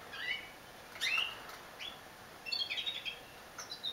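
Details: Female domestic canary singing: short high chirps and brief twittering phrases in bursts, with a quick trilled run near the end over a quiet background hiss.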